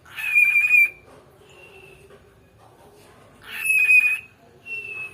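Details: Talking pet cockatiel that copies words taught by the owner's mother: two clear whistled phrases about three seconds apart, each a steady note followed by a shorter softer one, in a quiet room.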